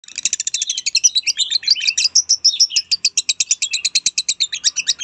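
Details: Lovebird chattering steadily: a fast, continuous series of sharp, high chirps, about two to three notes a second, some notes squeaky and slurred, with no other sounds.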